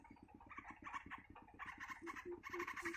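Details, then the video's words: Hungry young bird begging in front of its mother, who is busy bringing food; quiet rapid series of harsh, pulsed notes about four per second, with clearer tonal notes toward the end. "Baby Bird Shows Hunger in Front Of Mother"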